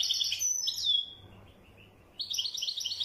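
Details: European goldfinch in wydani style: a busy twitter ending in a clear downslurred whistle, a pause, then another burst of rapid chattering trills.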